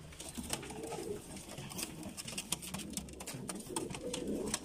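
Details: Bulgarian pigeons of the abssi type cooing indoors. Soft, low, wavering coos swell in short bursts over a constant patter of clicks and rustles.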